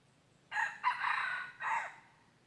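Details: Single crow of a red junglefowl, recorded 23 January 2022 while wild birds were being lured. A brief harsh opening note leads into a sustained raspy middle part, followed after a short gap by a dropping final syllable.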